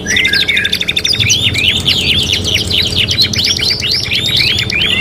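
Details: Canary in full song for a 3-in-1 master training recording: an opening buzzy trill, then a run of rapid rising-falling slurred notes repeated steadily at high pitch.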